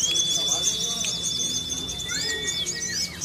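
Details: Caged Sunda leafbird from Kebumen, kept for song contests and trained with Ciblek song material, gives a long steady whistle held about two and a half seconds, then a lower level whistle, over rapid high twittering chirps.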